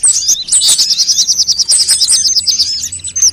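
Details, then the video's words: Sunbird lure sound, meant to coax birds into singing quickly: a piercing, high trill of rapidly repeated notes running steadily for about two seconds, opened and closed by sharp squeaky chirps. "suara pikat semua jenis burung kolibri"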